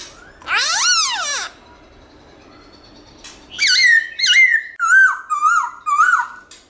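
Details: Black-throated laughingthrush singing a wild-type song in the morning: one long rising, wavering harsh note, a pause, then a series of clear looping whistled phrases dropping in pitch.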